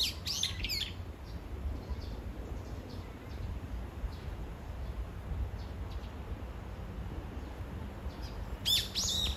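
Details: Brown-eared Bulbul, seemingly calling anxiously for its mate, gives two bursts of loud, harsh, shrill calls, one at the start and one at the end. Faint chirps and a low steady rumble fill the gap.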